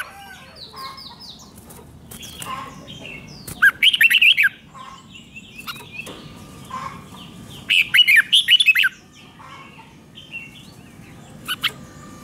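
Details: Red-whiskered bulbul song meant to excite caged birds: two loud bursts of fast, bubbling warbled phrases about a second long, with softer chirps and other distant bird notes between them.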